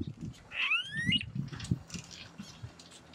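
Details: Smooth-billed ani (Crotophaga ani) giving one whining whistle that slides upward and ends abruptly, over a steady low rumble; bird was face to face with the recordist, performing a series of calls.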